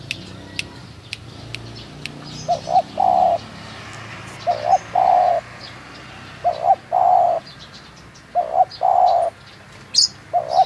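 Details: In Munjung Agung, Kramat, Tegal, a local spotted dove repeats its call: two short clipped notes then a sustained soft coo, five phrases about two seconds apart, with faint high bird ticks behind.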